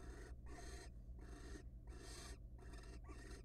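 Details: Wild barn owls in a nest box, mating often before egg laying: long rasping hissed screeches repeated about every half second, over a steady low electrical hum.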